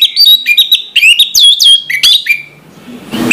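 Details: Orange-headed thrush singing a lively morning song of fast, varied whistled notes, chirps and upward slurs at roughly four per second, fading to quiet hiss at the end.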